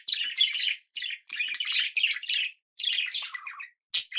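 A budgerigar chatters in quick bursts of scratchy, warbling chirps and squeaks.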